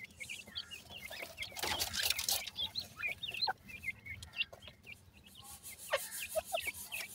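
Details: Partridge chicks, several babies together, giving a constant chorus of short, thin rising and falling peeps that overlap, with scuffling and handling noise between calls.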